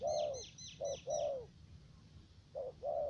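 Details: Decoy spotted dove with a three-note voice, used for trapping in U Minh, Cà Mau, Vietnam: low cooing in a short-long pattern with a long downslurred note, plus a quick series of high thin chirps from another bird at the start.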